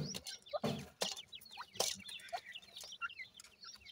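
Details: Francolin family of a male, female and 25-day-old chicks, the parents feeding the young. Many thin, high peeping chirps, mostly downslurred, come in quick overlapping runs, broken by a few sharp clattering knocks.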